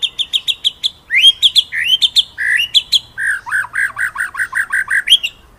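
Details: White-rumped shama singing a 'ngeroll nembak' master song for training other birds: a row of clipped high notes, varied swooping whistles, then a long rapid series of lower rolling notes ending on a rising whistle.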